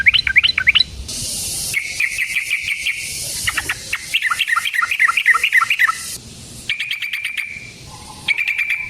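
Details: Yellow-vented bulbul in long fighting song meant to lure others: quick upslurred chirps, then extended chattering rolls of rapid notes, with a hissing background through the middle.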